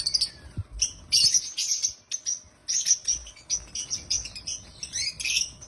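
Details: Lovebirds (African lovebirds) chatter in a loud, busy stream of shrill, high chirps and squeaks, several birds overlapping in quick bursts with barely a pause; described as happy chirping.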